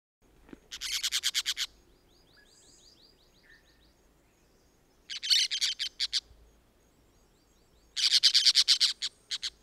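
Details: Orange-chinned parakeets recorded in Costa Rica in 2021: three bursts of rapid, buzzy, high chattering notes, each burst about half a second to a second long, separated by quiet pauses with faint softer chirps between.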